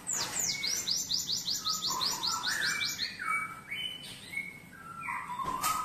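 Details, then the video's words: Cinereous tit singing with learned canary phrasing: a fast trill of high falling chirps followed by a varied sequence of lower, clear whistled notes stepping up and down. "GELATIK BATU MEWAH GACOR ISIAN KENARI"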